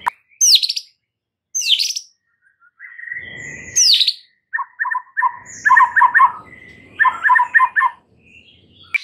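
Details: White-rumped shama song meant to snap a stressed bird into vigorous singing: loud high chirps and sweeps, then rapid trilled chattering bursts, with faint rustling in the background.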